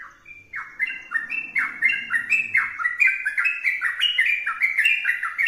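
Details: Sooty-headed bulbul singing vigorously: a quiet start, then a rapid, continuous run of bubbly whistled notes that jump up and down in pitch, with faint low rustling early on.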